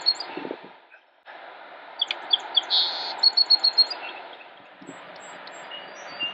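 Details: A song sparrow sings bright high notes, a short buzz, then a quick run of crisp repeated notes, over steady background hiss; Cabarrus County, North Carolina, USA, 28 March 2016. Finding: Song Sparrow.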